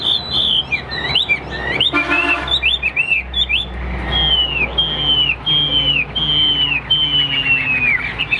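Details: Caged Hwamei singing during a competition fighting display: loud, clear whistled phrases, each sliding downward, repeated in quick succession, with a brief burst of harsher notes near the start.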